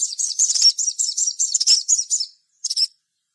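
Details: High, rapid chattering trill from a sogon, played to coax other sogon into song, running steadily for about two seconds before a short pause and a final brief burst.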